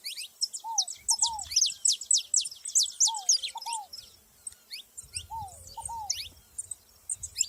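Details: ['Gathered saffron finches in nature pour out fast, sharp, high chirps in busy bursts, with paired lower downslurred whistles repeating between them.']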